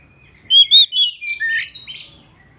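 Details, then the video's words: Oriental magpie-robin, known locally as murai kampung or kacer, singing as a decoy to call rivals: one brisk, bright phrase of warbled, slurred whistles that tumbles lower and ends in buzzy notes, against quiet surroundings. "Suara Denak Murai Kampung - Denak Murai Cacing - Pikat Kacer Gacor Memanggil Lawan"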